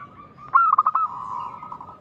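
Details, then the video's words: Local zebra dove with a big, loud voice, used as a lure to make other doves answer. A single burst of about five fast, rolling staccato coos rises out of a soft, continuous cooing tone. "Perkutut lokal gacor suara keras besar - pancingan burung perkutut"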